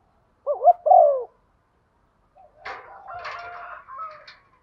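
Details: Female spotted dove calling to rouse males in the stormy rainy season: a quick pair of low, wavering coos, followed after a pause by a fainter, rougher stretch of harmonic, slightly buzzy sound.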